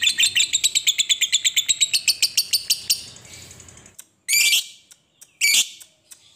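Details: Lovebird of fighter type in ngekek panjang style, played to coax lovebirds into song: three seconds of rapid high rattling chatter that fades out, a short silence, then two sharp grating shrieks.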